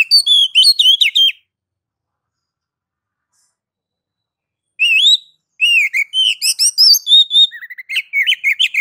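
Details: Oriental magpie-robin (kacer) singing in the ngeplong style, a master song for prompting other kacer to sing: a burst of loud, varied whistled notes, a long pause, then a longer run of rising and falling whistles and trills.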